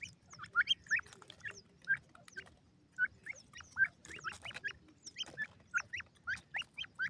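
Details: Three-month-old grey francolin chick giving rapid rising whistled notes, often in pairs, in a steady run of about two per second, with faint clicks and rustling in the background.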